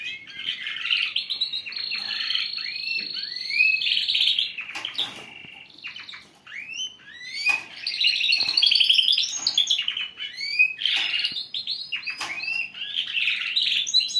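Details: Canary fledglings in early song learning, trained by listening; a dense, continuous high warble of fast trills, sweeping slurs and rapid chirps, getting louder in the middle, with a few clicks between passages.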